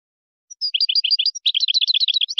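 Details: European goldfinch singing a Moroccan-style song meant for tutoring goldfinch chicks and hybrids; a brief thin note, then a fast run of repeated liquid twittering syllables, becoming a rapid rolling trill toward the end.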